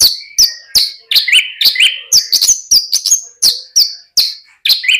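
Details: Javan bush lark in steady song: a continuous string of sharp high notes with downslurred and upslurred whistles, some lower warbled notes between them, and no pauses for the full stretch.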